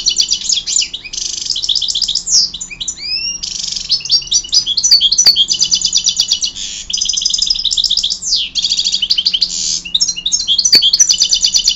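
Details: European goldfinch singing: fast, loud, high twittering phrases of buzzy trills and tinkling notes, with occasional rising whistled slurs, delivered almost continuously over a faint low hum.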